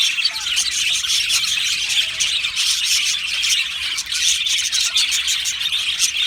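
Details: Aviary colony of Australian budgies singing and chirping: unbroken high chatter with many overlapping short chirps, some sharper squawks standing out, steady loudness throughout.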